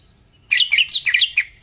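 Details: Greater green leafbird (cucak ijo) song, presented as masteran tutor audio meant to spur a leafbird into jantrok: quick bright chirps and short slurred whistles, high and varied, in a jumbled burst of about seven notes over a second, with no other sounds.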